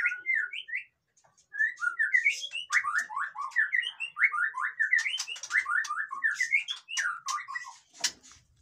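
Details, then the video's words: White-rumped shama kept in captivity, its song used to stir reluctant birds to sing: long fast run of repeated downslurred whistles, steady rhythmic sequence after a brief opening pause, ending with sharp clicks. "suara burung murai batu ribut cocok untuk dongkrak emosi burung yang malas bunyi"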